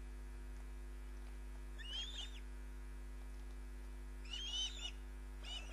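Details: Nesting osprey heard through a live nest camera: a short, harsh whistled call, a pause of over two seconds, then another, followed by the start of a third, under steady electrical hum.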